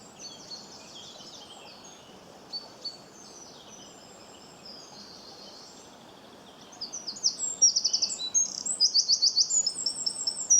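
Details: Soft, distant high twittering from a bird for several seconds, then louder chirping with sharp chips and fast repeated trilled notes in the last four seconds.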